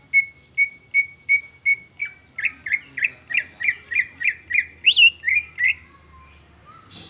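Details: Greater green leafbird song without borrowed phrases: five evenly spaced short level whistles, then a quickening run of about a dozen sweeping chirped notes with one higher squeaky flourish before fading out.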